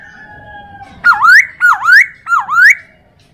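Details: Hwamei song from a recording made to train other birds: three strong, swooping whistles, each dipping low and then climbing, repeated at an even pace over a faint steady tone.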